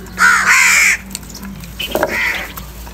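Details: Crow in a morning fight for food utters a drawn-out, rough, nasal caw of nearly a second, followed by a fainter, shorter caw, over a steady low hum.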